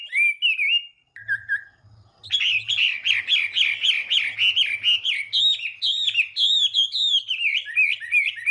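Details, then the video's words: Morning song of a Chinese hwamei being trained to sing: two whistled phrases, a short pause, then a rapid burst of repeated notes turning into rich rolling whistles, with a faint low hum beneath. "hoạ mi hót sáng luyện giọng"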